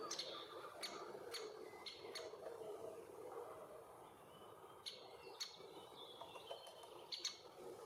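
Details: Young male great spotted woodpecker with its mother at a tree hole also used by bees, Bydgoszcz forest, Poland, June–July 2023: hard, abrupt kik notes in loose clusters, a quieter gap midway, then several more, over low background noise.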